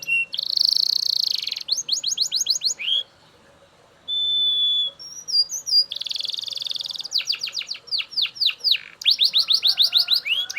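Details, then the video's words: Super loud Belgian canary song: long buzzy rolls, trains of rapid sweeping notes, a short pure whistle and twisting high notes after a brief pause, then fast repeated trills resume. "Super Loud Belgian Canary Singing‼️Your Canary Will Sing Unstoppably"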